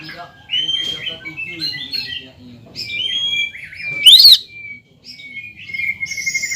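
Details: Greater green leafbird, singing to provoke a rival leafbird: varied whistled phrases and slurred notes, with a sharp rising-falling squeal about two-thirds through, set against faint low background murmur.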